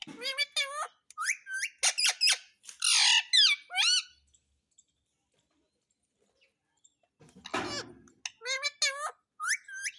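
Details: Talking parrot saying "mummy papa": bursts of harmonic, nasal, speech-like syllables in quick runs for four seconds, a pause with a single noisy squawk, then more rapid talking phrases.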